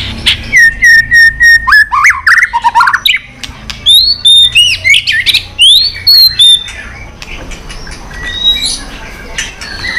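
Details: White-rumped shama in competition song with tail-flicking: a steady whistled note, then quick clicking bursts and rising slurred whistles for about seven seconds, fading to quieter scattered notes.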